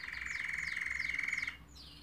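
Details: Canary song: a fast rapid trill held steady for about one and a half seconds, with descending whistled sweeps layered above, then a softer higher phrase.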